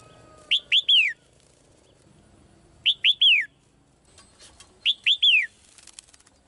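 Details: A caged female bird sings to summon a male, giving three phrases of three quick whistled notes, the last note a longer downslurred whistle, repeated roughly every two seconds over a soft background murmur.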